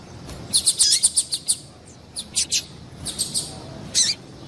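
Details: Female double-collared seedeater calls meant to stimulate males: a quick burst of about seven sharp high chirps, then paired notes, a softer trio and one final downward-sliding chirp, over a low hiss.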